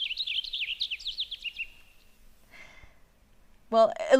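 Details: Male Cassin's finch at Big Bear Lake in August sings a quick, cheery showing-off warble of rapid rising-and-falling notes for under two seconds, fading before a person starts speaking.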